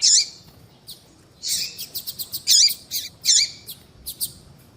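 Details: Female coleiro baiano calling to get males going: a loud high chirp, then a busy run of sharp chirps and ticks, several notes ending in a short downward hook.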